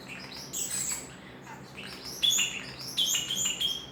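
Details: Common starling kept as a pet, making noise just to hear himself: high squeaky whistles early on, then loud clicking chirps and piercing whistled notes in quick bursts toward the end.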